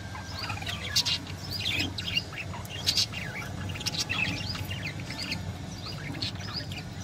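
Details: Budgerigars eating soaked maize chatter together in a busy stream of short, scratchy chirps and warbles.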